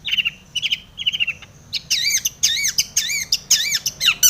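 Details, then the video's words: Long-tailed shrike song played to stir other shrikes into singing: rapid repeated buzzy trills followed by loud, wavering whistled phrases that rise and dip, dense and energetic. "SUARA cendet gacor full isian TOMICENG pancingan cendet agar bunyi JADI burung pentet gacor EMOSI"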